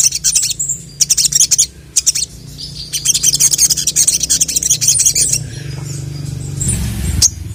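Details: Sogok ontong (sogon) in full song, calling a male: short high buzzy chatter bursts, then a long rapid trill of clipped notes lasting about two seconds, fading into quieter scratchy sounds with a low background hum.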